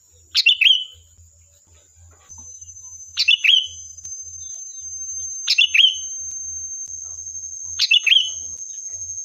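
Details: Sooty-headed bulbul song used as a lure to provoke a reply: short bright phrases of a sharp chirp sliding into a falling whistled note, repeated about every two and a half seconds over a steady high electronic hum.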